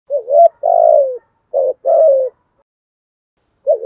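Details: Spotted dove giving 'thúc' and 'gù' cooing style: low mellow coos, a short wavering note followed by a long, slightly falling coo, repeated twice with a brief opening note at the end; no other sounds.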